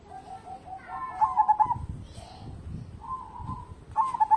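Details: Local zebra dove, a strong singer used as a lure to draw song from other birds, giving soft rolling coos around a low pitch, with a bright stuttered burst of trilled notes near the end and again at the close.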